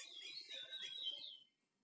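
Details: A captive male Chestnut-bellied Seed-Finch, not yet in breeding condition, sings near a female being tested for pairing, a rich, fast warbled phrase of high whistles lasting about a second and a half, over faint room noise.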